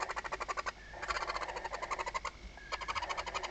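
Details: Barn owls inside a nest box at Riet Vell nature reserve, Ebro Delta, at night on 21 October 2025 as the male brings prey. Fast trains of rasping pulses repeat about four times a second, with short breaks between bursts.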